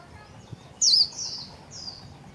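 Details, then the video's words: Caged Japanese white-eye, spreading its wings while singing its rapid 'líu' song: a brief series of thin, very high-pitched sweeping and warbled notes in three short bursts over a quiet background hiss. "KHUYÊN LÍU XÒE CÁNH CỰC KỲ ĐẸP - CÁCH GIÚP KHUYÊN MAU LÍU"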